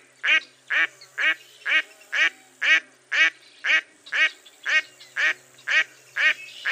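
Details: Mottled duck giving a long series of loud, harsh quacks, about two per second, evenly spaced and steady in strength, with no other sounds standing out.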